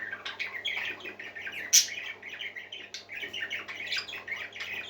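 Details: Happy parakeets chatter continuously with softer warbled notes and one sudden shrill squeak near the middle, backed by a constant low hum.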